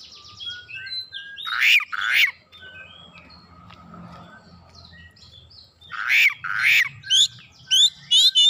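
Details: Oriental magpie-robin singing to provoke rivals, unloading varied phrases: short whistled notes, two loud rasping bursts, quieter scattered chirps, then harsh notes and a fast series of high clicking whistles.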